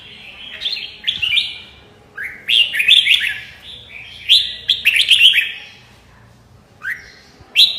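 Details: A red-whiskered bulbul sings lively, slurred whistled phrases that rise and warble, coming in separate bursts about a second apart, with a quiet hum underneath.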